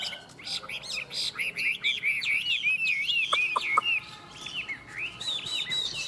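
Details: Two caged Chinese hwamei competing in song, pouring out fast rising and falling whistled phrases, with a few brief lower notes mid-phrase and a rich, continuous delivery.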